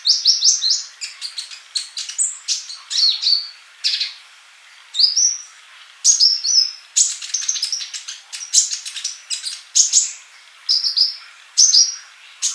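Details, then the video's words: Male olive-backed sunbird in full song, used as a tutor for young birds that do not sing yet; rapid high twittering runs of sharp chips and thin whistled slurs, with short bursts repeated through the passage and brief pauses between. "Kolibri Ninja Jantan Gacor buat masteran yang masih bisu"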